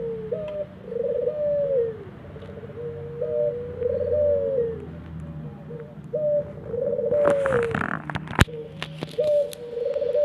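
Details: Aviary ringneck dove repeating its coo about every two and a half seconds, each a brief rise then a rolling, falling purr, with a loud rustling clatter breaking in near the end.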